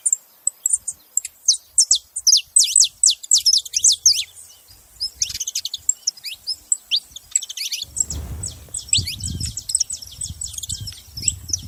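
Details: Saffron finch making noise: rapid, very high-pitched chirps and sharp downward-sweeping notes in dense bursts, easing briefly mid-clip, then resuming over a low rumbling background noise in the last few seconds.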